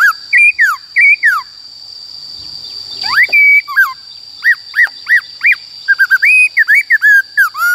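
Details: White-cheeked laughingthrush giving its forest-style song: varied clear whistles, slurred up and down in quick bursts, then a fast string of looping notes, with a constant high-pitched hum behind.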